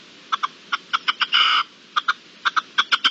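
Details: Wild red-legged partridge recorded in March 2022, giving a rhythmic series of short, harsh chuck notes with one longer rasping burst in the middle, against a steady background hiss.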